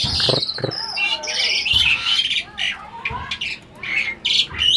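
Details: Adult Asian pied starling from a breeding pair imitating speech: jumbled squawks, gurgling voiced notes and hissy bursts in uneven, talk-like phrases, with low knocks at the start.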